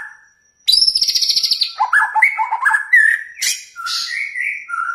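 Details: Provoking song of a white-rumped shama meant to stir another shama to sing: a short whistle, then an energetic burst of high buzzy rattles followed by tumbling, varied whistled notes that drop and rise again.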